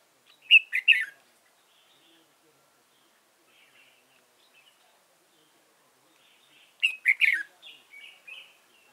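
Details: Red-whiskered bulbul, a decoy bird used for trapping, from Dong Nai, Vietnam, recorded 15 November 2017: two bursts of rich warbled notes near the start and end, separated by soft quiet twitters.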